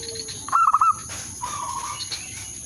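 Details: Zebra dove calling as a lure for a rival and to prompt mating readiness: one quick burst of rolled cooing notes followed by a soft, drawn-out coo, against a constant high electronic hum.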